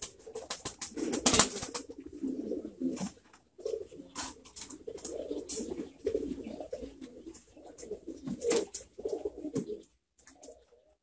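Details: Many pouter pigeons coo in a soft, low murmur of overlapping rolling phrases, with clicks and a loud rustle near the start.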